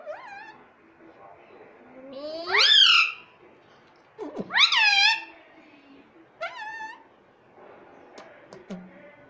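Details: Rose-ringed parakeet mimicking the words "Mummy Papa": loud, harmonic, sharply rising syllables in short bursts about two seconds apart, with softer calls between them and quiet music in the background.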